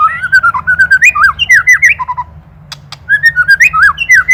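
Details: White-rumped shama, Indonesian master recording for training songbirds: quick looping whistled phrases rising and dipping, a short gap with two dry ketrekan clicks, then more rapid fluting notes.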